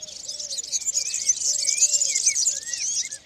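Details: European serin giving its spring courtship song among olive branches, heard from early April: a dense, rapid, high jingling cascade of tinkling notes running without pause, with soft low dove-like coos repeating underneath.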